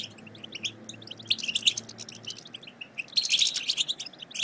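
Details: Quiet high chirps that swell into busier twittering of European goldfinch chatter, played to get silent goldfinches singing; a faint low hum lies beneath.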